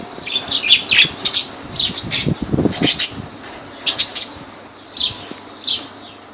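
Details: High, sharp lovebird chirps in Laylan, Kirkuk, in irregular bursts, with a spell of low rustling or wing flutter midway and a faint background hum.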